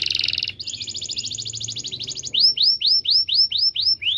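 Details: Canary in full song as a prompt for silent canaries: a buzzy opening note, a long even rolling trill, then a regular run of upswept whistled notes, about four per second.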